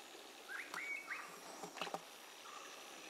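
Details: Bronzed drongo sallying under the canopy in the Western Ghats gives a few short, slurred metallic whistles with a couple of sharp clicks between, over a steady insect hiss.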